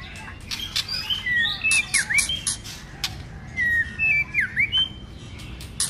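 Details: Many-voiced fighting song from a white-rumped shama, stirred up in the cold season while flicking its tail: separate whistled phrases with dipping V-shaped notes, spaced by sharp clicks and short gaps.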